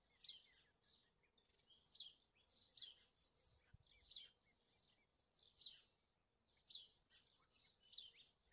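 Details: Superb fairywren nestlings, three chicks fed by both hard-working parents, give high, sharp chirps in steady bursts about once a second. Softer high twitters sit between the louder notes over a quiet background.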